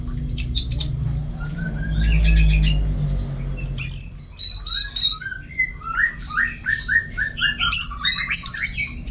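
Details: Caged orange-headed thrush (anis merah) in Singaraja, North Bali, trained for contests: soft trills at first, then a lively run of varied whistled notes and chirps, rising and falling rapidly, over a constant low hum.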